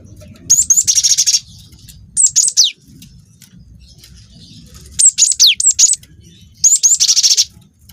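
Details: Young cinereous tit in full song, used to provoke other birds to sing: alternating fast buzzy rolls and groups of sharp high notes falling in pitch, four bursts in eight seconds with quiet gaps between.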